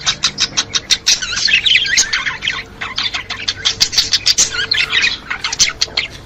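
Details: Budgerigar chatter for stimulating budgies: sharp clicking pulses repeated about three times a second under a thick layer of squeaky warbling and high squawks.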